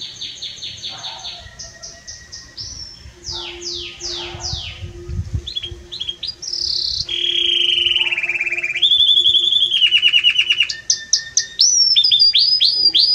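A Belgian canary sings loudly and continuously, shifting between rapid trills, sweeping whistles and buzzy rolled phrases at high pitch.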